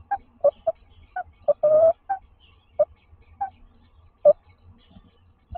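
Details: Tawny owls at a nest box in Toledo, Castilla-La Mancha, calling softly during a daytime courtship visit by the male. Short, well-spaced soft notes include one longer, slightly wavering call.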